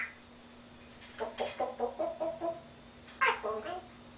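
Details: African grey parrot kept as a pet, imitating a laugh: a rapid run of about eight short rhythmic 'ha' pulses, then a louder burst of three more after a brief gap, indoors over a low hum.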